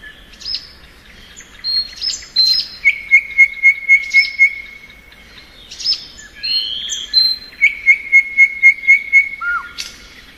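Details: Spring song of a thrush nightingale: varied chirps and whistles, then a steady run of six bright piping notes, repeated again later, with a low falling slur at the end.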